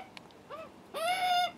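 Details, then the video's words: Hungry juvenile Australian magpies begging for food on their first visit: faint arched squawks, then one loud, long, harsh nasal call with rich overtones, held steady for about half a second. "First visit by screaming hungry juvenile Magpies & nervy Dad"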